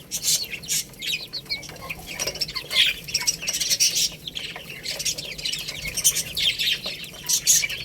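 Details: A group of baby chickens eating rice gives shrill, squeaky chirps that come in irregular clusters, along with sharp clicking sounds.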